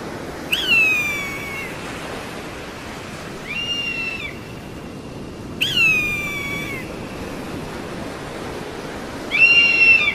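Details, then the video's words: A series of four high, harsh whistled screams from an eagle, each about a second long and dropping in pitch, spaced irregularly several seconds apart, with background hiss. "SUARA MASTER BURUNG ELANG"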